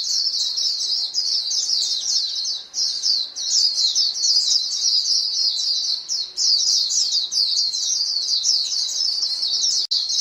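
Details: Continuous high twittering from a flock of white-eyes calling to each other, many thin, quick notes overlapping, with brief dips around three and six seconds.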